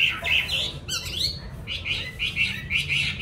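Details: Caged yellow-billed Chinese hwamei raised at home utters rapid, harsh, buzzy notes repeated several times a second. A brief rising whistle breaks the run midway.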